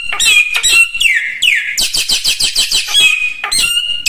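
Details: Common iora song used for training other birds: loud rapid sequence of whistled notes, sweeping downward slurs and fast repeated clicking trills, ending in sustained steady whistles.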